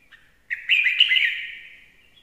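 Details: Red-whiskered bulbul, a lure bird, starts with a faint soft note, then gives a loud bubbling whistled phrase of rapid up-and-down slurs that fades out gradually.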